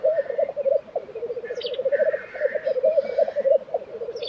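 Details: Close, throaty bubbling of black grouse at a lek, Tiveden, Sweden, April 2023. The warbling notes rise and fall in rippling phrases, with a brief hiss and a soft higher call.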